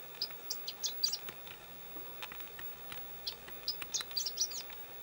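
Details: Chestnut-eared bunting singing at Kuju Plateau, Japan, on 27 May 2017: two quick bursts of high, scratchy twittering notes, each about a second long with a pause between, over faint background hiss.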